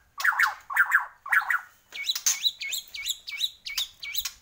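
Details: White-rumped shama of the Borneo type singing actively: three buzzy, rapidly warbled phrases, followed by a run of clear whistled notes, each dipping and rising, repeated about twice per second.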